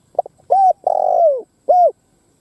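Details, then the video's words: Spotted dove used as a ground lure to provoke wild doves into fighting; a few soft lead notes, then a rising-falling coo, a long drawn coo sliding downward, and a short arched closing note. "Tiếng Chim Cu Gáy mồi đất gáy kích bổi Mở là gáy"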